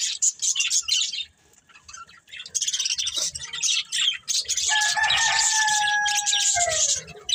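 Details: Family of budgerigars from a breeding pair: fast high twittering and scratchy chirps with a short lull early on, then a long, sustained, lower tonal call that slides downward near the end.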